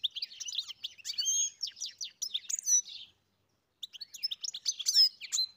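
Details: European goldfinch singing on a farm: rapid, twittering phrases of mixed chirps, trills and short whistles, high and bright, in a burst of about three seconds, a brief pause, then another twittering burst; no other sounds.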